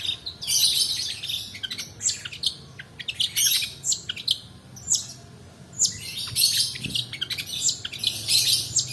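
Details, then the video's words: Long-tailed shrike singing continuously as a lure for tutoring other birds: dense bursts of harsh, scratchy high notes and sharp clicks in rolling phrases, with brief pauses between. "PANCINGAN PENTET MALAS BUNYI ROLL DURASI COCOK UNTUK MASTERAN"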